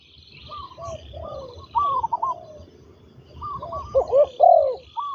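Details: A trained ground-decoy spotted dove coos quietly, then louder near the end. Busy high-pitched chatter from other birds runs throughout.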